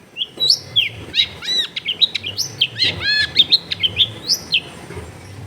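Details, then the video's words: Long-tailed shrike singing, as used in therapy to provoke a lazy bird into answering, recorded at home in a dense neighbourhood: a fast, varied run of high whistled sweeps, arched notes and chirps, nearly continuous, over a faint low hum. "TERBUKTI TERAPI CENDET MALAS BUNYI LANGSUNG NYAUT"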